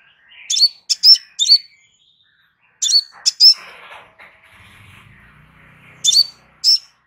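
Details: Crimson sunbird singing relaxed phrases used as a master for training birds: groups of shrill, clipped chirps with flicked endings, in three bursts. A soft rustling hiss and a faint low hum sound between the second and third bursts.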